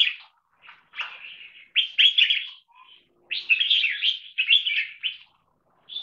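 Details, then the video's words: Red-whiskered bulbul, a trained frequent singer in double-note marathon style, six short songs joined into one long song. Short warbled notes build into longer rolling, chattering phrases, then pause before another note. "ULTIMATE 6 Double Note Marathon Singing Style Jambul"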